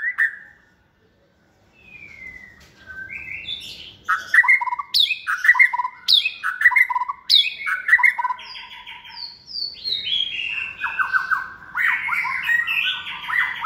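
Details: Caged White-rumped shama, a second-season bird hand-raised from a nestling, said to be multi-voiced, bold and trained for cage singing contests. It sings varied clear whistled phrases with sharp clicks, starting softly, then a dense run of quick repeated notes.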